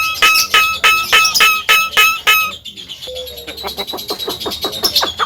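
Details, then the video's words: Javan myna giving strong repeated notes with a ringing tone, about three per second, followed by softer rapid clicks and a thin falling whistle. "SUARA BURUNG JALAK KEBO"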